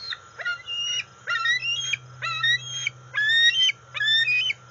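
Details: Juvenile female bald eagle, 18.7 weeks (131 days) old, calling from off the NCTC nest on August 5, 2020, as her father arrives with a fish. She gives five loud, squealing bursts of rising, stepped whistled notes, each about half a second long, over a steady low hum.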